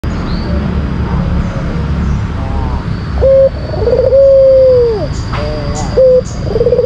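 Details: Lure song of a white collared dove, a kept Indonesian songbird, starting after three seconds of background hiss: a short clipped coo, then a rolling trill running into a long, steady, low coo that drops at its end.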